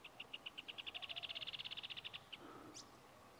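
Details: A rufous hornero (Furnarius rufus) at Chaunaca, Sucre, Bolivia, in April 2023 gives a loud run of about twenty-five sharp, ringing notes that speed up and rise slightly, then stops; a brief upswept chirp follows.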